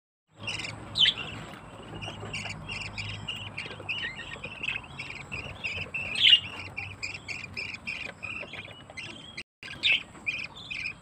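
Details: Budgerigar parent with its chick, Malaysia, chattering in a busy stream of high, scratchy chirps with a few sharper squawks.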